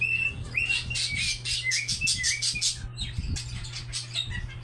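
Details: Pet cockatiel song: quick bursts of chirps and short whistled slides, a few rising notes among scratchy chatter, over a constant low hum.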